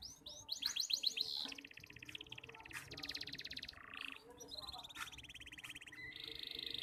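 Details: Young canary practising song, still broken into pieces: a few bright whistled notes and a short trill, then softer buzzy rattles and trills against a hissing, noisy background.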